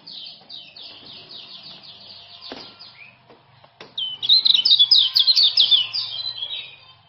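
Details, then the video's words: Common iora, male, Lombok stock, meant to stir a quiet caged bird into song: soft repeated high chirps at first, then a loud burst of rapid, bright twittering notes. "Kecial Kuning Jos Super Speed Tanpa Ngeriwik"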